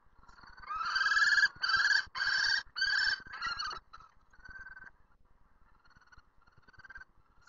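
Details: Common kestrel in Lausen shrieking, giving four loud, harsh, drawn-out screeches about half a second each, followed by several fainter, thinner screeches trailing off.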